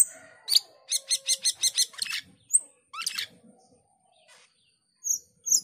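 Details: Male cucak keling in vigorous song, opening with a quick train of about seven evenly spaced sharp notes, then rasping phrases, a rising whistle and later high descending slurs.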